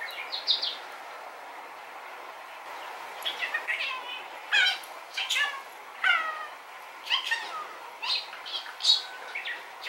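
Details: Rainbow male budgerigar kept as a pet, chattering quietly while recorded at a distance through a telephoto zoom: a quiet start, then dense runs of warbled, sweeping syllables and short chirps.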